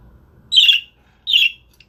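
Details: Budgerigar in a home setting giving two short scratchy chirps about three quarters of a second apart, each roughly a quarter second long, over quiet background.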